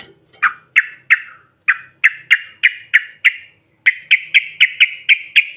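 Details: Yellow-vented bulbul used as a lure to set other birds off: crisp, clipped chirps repeated about three per second in two series, the second faster and steadier, over a faint low hum.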